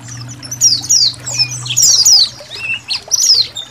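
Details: Training recording of a colony of Indonesian white-eyes with trickling water in the background. Several birds give rapid high-pitched downslurred twittering phrases in short clusters, separated by brief pauses, with a low hum underneath early on.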